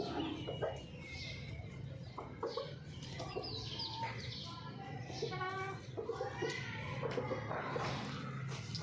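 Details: Chickens during mating, a busy series of short, harmonic clucks and squawks repeated throughout, mixed with human speech and low background rumble.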